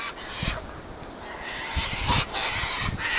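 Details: Sulphur-crested cockatoos at a spot where they always gather, giving harsh, broadband screeching squawks in short bursts, with a loud cluster near the middle and another at the end, over a low rumbling background.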